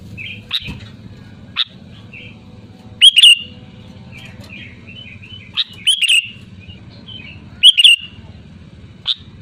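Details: Sooty-headed bulbul calling to rivals: brief bright chattering phrases and single sharp chips every second or two, with soft twittering between, over a constant low hum.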